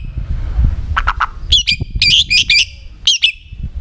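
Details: White-rumped shama song used to provoke other shamas into singing: a few low husky notes followed by bright, high, twisting whistles in short bursts over steady low-frequency noise.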